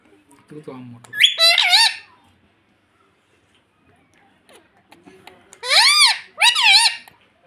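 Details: Talking rose-ringed parakeet at home, a pet mimicking mummy: two bursts of shrill, wavering, harmonic squeaks separated by a long quiet gap, with soft room noise.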